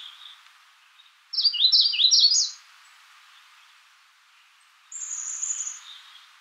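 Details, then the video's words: Magnolia warbler gives one brisk phrase of repeated downward-slurred notes, bright and sweet, about a second long, then silence and a separate thin, high-pitched drawn-out whistle. "Magnolia warbler Calling"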